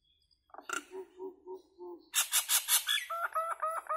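Common myna song: low gurgling notes, then harsh buzzy chatter and a run of repeated whistled, bubbling phrases, varied and talkative.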